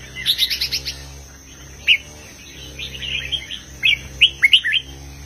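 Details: Caged red-whiskered bulbul singing a heavy southern master-song style: a quick run of bright chirping notes, then scattered short, sharp, slurred whistles, over a steady low electrical hum and a constant thin high tone.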